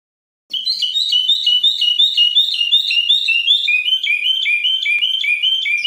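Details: Common bulbul, a Moroccan bulbul, singing a tachyiaa song style with two changes: rapid, clear, whistled two-note phrases alternating high and low, repeated steadily without pause for over five seconds after a short silence.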